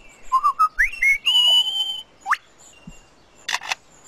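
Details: A male Superb Lyrebird in the forest, mimicking sounds to outsing rivals, runs through rising, liquid whistles and a fast upward sweep, then two sharp mechanical clicks imitating a camera shutter.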